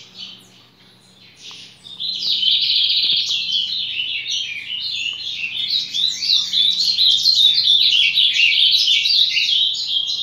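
Ultramarine grosbeak singing a fast, high, unbroken warble of rapid chirpy notes that starts after two quiet seconds and runs to the end, over a faint low indoor hum.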